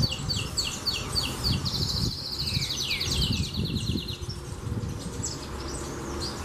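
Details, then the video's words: Domestic canary in full song: quick rolling trills of repeated high notes, then a long sustained buzzy roll with a short descending slur, followed by more chattering phrases over a constant low rumble. "Canario do Reino Salsa Cantando Muito!!!"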